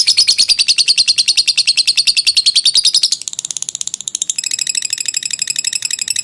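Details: Long ngekek trill of a lovebird, recorded for training other birds: a loud, rapid, high chattering trill for about three seconds, then a quieter, thinner trill, then a third brisk phrase that keeps the fast pulsing going.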